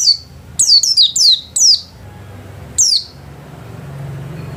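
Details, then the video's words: White-eye kept in a house giving a short burst of five quick, high, downward-sweeping whistled notes, then a single similar note after a pause, with low background hum. "Burung pleci gacor kelas rumahan"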